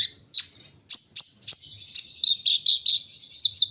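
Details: Morning dewing brown-throated sunbird: spaced sharp high chirps building into a continuous twittering run of quick, warbled notes.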